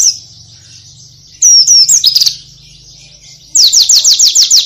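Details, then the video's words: ['Oriental white-eye song in varied style: thin twittering notes, then a quick sequence of high, steeply falling whistles repeated several times per second, with a low steady hum underneath.'] "AUDIO PLECI ISTIMEWA FULL VARIASI"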